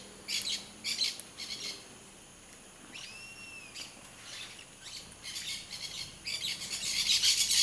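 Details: Blaze-winged parakeet, described as a rare bird, uttering grating high screeches in short clustered bursts that grow louder and denser toward the end, with a brief thin whistled note midway.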